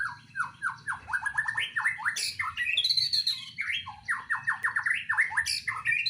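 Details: White-rumped shama in a breeding cage, singing a rich varied song: runs of quick descending slurred notes, a higher whistled phrase mid-clip, and repeated chirpy bursts, over a low steady hum.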